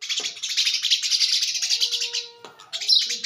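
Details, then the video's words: Sparrow fighting its own reflection in a mirror, giving a dense run of rapid, harsh chirps for about two seconds, then a pause and another short burst; a faint steady tone runs underneath midway. "sparrow fighting herself in mirror/Sparrow sound"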